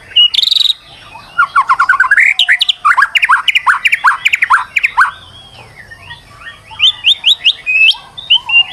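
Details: White-rumped shama, described as a stressed bird, singing as a lure to make another bird sing: rapid, varied phrases of repeated chirps and short trilled notes, a brief pause near five seconds, then bright rising whistled notes.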